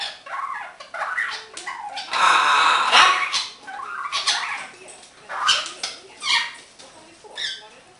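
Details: Happy pet green-winged macaw chatting indoors, a stream of quick raspy syllables with a long harsh screech in the middle, followed by shorter grating calls that fade away.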